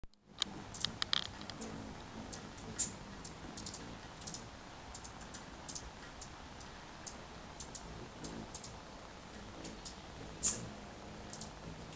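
Only scattered sharp clicks and taps over a low background hum; no clear animal voice.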